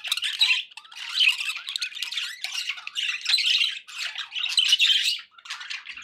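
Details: Pet budgerigars warbling in repeated rolling phrases roughly a second long, separated by short dips, full of rasping squawks and thin chirps, a quick gap near the fifth second.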